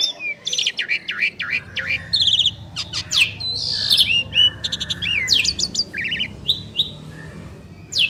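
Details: Duet of two Asian pied starlings: sharp chattering notes, buzzy rattles and swooping whistles in quick varied phrases over a faint background hum.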